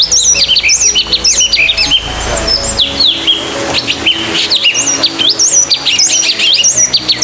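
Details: Sultan tit (Melanochlora sultanea), an Asian forest bird, sounding agitated: loud, sharp chirps and rapid squeaky notes in bursts, high-pitched and insistent, with soft tonal music underneath.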